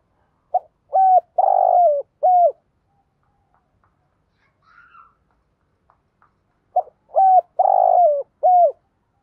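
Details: Spotted dove in 'thúc gù' style, a call for luring wild doves: two matching four-note coo phrases, soft, hollow and slightly descending, with a faint higher chirp in the quiet gap between them.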